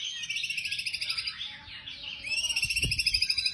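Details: Murai batu, the white-rumped shama, delivering 'tembakan' song: a long, fast, high pulsing trill that dips briefly, then resumes stronger, with a single dull thump partway through.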